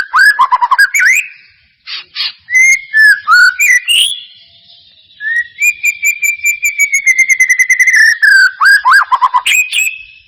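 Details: Shama song lure for a bird that will not sing: quick tumbling whistles, pauses, clear repeated notes, then a long steady whistle over rapid chirps ending in looping phrases.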